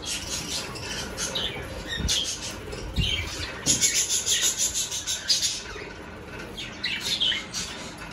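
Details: Budgerigars in an aviary fitted with clay breeding pots as their breeding season begins: dense, overlapping high chirps and scratchy chatter from many birds, with a run of quick rhythmic chips midway and a few soft thumps.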